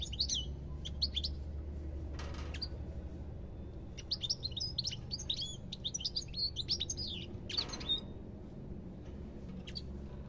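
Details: European goldfinch singing a long run of fast liquid twitters and chirps, brief opening notes then a dense stretch of tinkling phrases, interrupted by two broad noisy bursts, over faint low hum.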